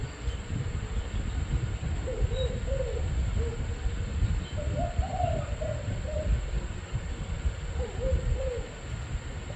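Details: Spotted dove coos in three spaced bursts of mellow, wavering notes separated by pauses, set against continuous deep rumbling noise and a thin high hum.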